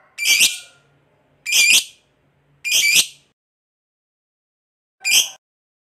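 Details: Lovebird calling with four loud grating shrieks, the first three about a second apart and the last after a longer pause, near silence between.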